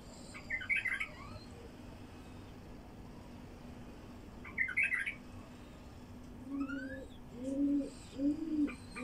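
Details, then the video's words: Song of a wild bulbul, used to lure wild bulbuls: two brisk, chattering warbled bursts four seconds apart, then a series of low, soft coos from another bird near the end. "تغريد بلبل وحشي لفتح البلابل الوحشية"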